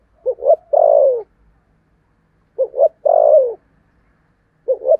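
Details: Decoy spotted dove with a 'thổ' voice, used to lure other doves: two short rising coos, then a long, loud, falling croon. The phrase repeats about every 2.5 seconds, with quiet pauses between.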